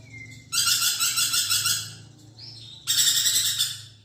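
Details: Budgerigar in song, kept as a magpie robin tutor: a thin whistle, then two bursts of harsh, pulsed, buzzy chatter separated by a pause with a rising whistled note.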